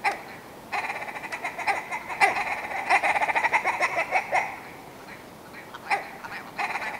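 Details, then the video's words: Willow ptarmigan: a long, fast, stuttering series of nasal clucks that swells and then falls away, followed by a few isolated single notes. "Willow Ptarmigan - Song & Call"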